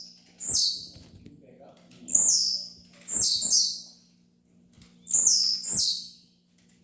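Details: Blue-black grassquit, locally tiziu, singing in a recording meant for training: very high, buzzy notes sweeping downward, often in pairs, repeated every one to two seconds over a faint low hum.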